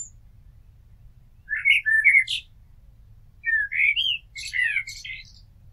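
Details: Common blackbird singing, recorded near a house: two phrases of low, fluting whistles around two kilohertz, each ending in a brief higher twittering flourish, with a pause of about a second between them.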